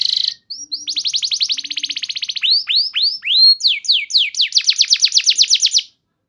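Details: Canary song played to stimulate other canaries: a buzzy opening, a rapid rolling trill, deep swooping whistles, then a fast trill of repeated falling notes ending in silence.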